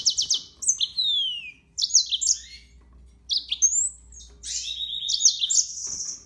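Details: Yellow-fronted canary song of varied high whistled phrases: sharp downward slurs, short upslurred notes and brief chattering bursts separated by short pauses.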